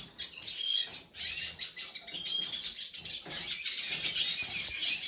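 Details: Red siskin singing, recorded 20 December 2023: a continuous rapid, high twittering warble of chattering and buzzy notes running without pause for the whole five seconds.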